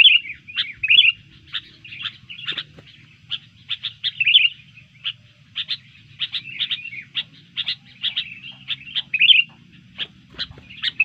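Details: Sooty-headed bulbul in fighting mood after being disturbed, giving a steady run of short sharp chirps and clipped whistles, several each second, with brief warbled notes between, against a quiet low background hum.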